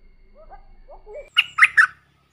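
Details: Streak-eared bulbul kept as a caged decoy bird, calling to lure wild bulbuls that fly around teasingly. A few soft low whistled notes lead into three loud, harsh, chattering notes in quick succession.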